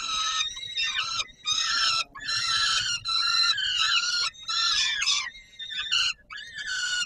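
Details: Peregrine falcon at the Palace of Culture and Science, Warsaw, Poland, 17 July 2022, at feeding time: harsh, wailing calls rich in harmonics, given in bursts under a second long and separated by short gaps.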